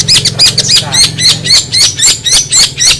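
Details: Long-tailed shrike song of sharp, high scratchy notes in rapid, uneven succession, some with a short whistled tone, over low background chatter of people.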